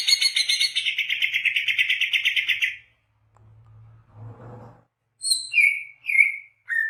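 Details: Greater green leafbird singing vigorously, recorded as a lure for wild birds: an extended rapid, harsh chattering trill lasting nearly three seconds, a brief low rumble, then several sweet whistled notes slurring up and down.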